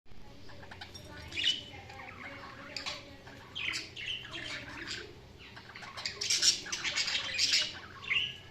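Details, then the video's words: Budgerigars chirping: bursts of scratchy, buzzy high chatter and short squeaky notes, several birds overlapping in a busy flock chorus with brief louder peaks, faint low background hum. "Budgies Sounds| Budgies Chirping sound"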